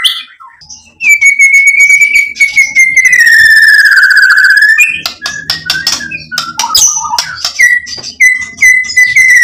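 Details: White-rumped shama song used to provoke a bird into singing: a long, slowly falling whistle, then a rapid run of varied sharp notes and short repeated whistles.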